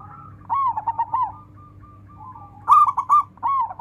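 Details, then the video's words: Local Indonesian zebra dove song, used to prompt other birds to sing: a wavering cooing phrase, a softer trailing coo, then a louder burst of quick rolling notes and a final rising coo, with low background hum. "Sekali dengar langsung NYAUT dan Ikut BUNYI rame dengan suara perkutut ini"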